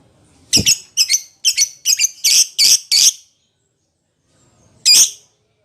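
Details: Lovebird calling to its companion: a series of seven harsh, shrill screeches, quickly repeated, then a short silence and one more loud screech.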